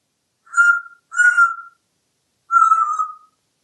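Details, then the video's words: Talkative pet African grey parrot, hatched in 1997 and living in a Texas home, whistling during a live stream: three clear, level whistled notes, the first two close together, the third after a short gap and slightly falling. "Einstein Parrot is a very talkative African Grey Parrot!"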